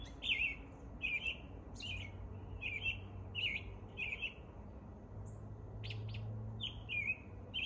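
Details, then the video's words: An American robin sings its spring morning song: repeated short whistled phrases that slur downward, about one every half second, pausing briefly before resuming, over a low background hum with a few sharp high chips. "American Robin performing the morning song."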